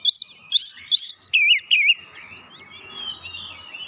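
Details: Oriental magpie-robin song used to lure and provoke rivals, showing learned filler phrases: five evenly spaced wavering whistles, the last two lower, followed by softer trailing notes over a faint rustling background.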